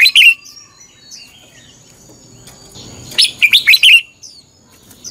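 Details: Red-whiskered bulbul fighting song used for morning training: a brief warble opens, then soft high chirps, followed by a rapid run of five or six loud slurred whistles near the end.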